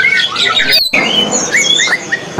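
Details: Captive greater green leafbird (Chloropsis sonnerati) from a Jakarta bird-market trader pours out a loud, varied song of quick whistles, rising slurs and chattering notes, with a short break midway and background chatter.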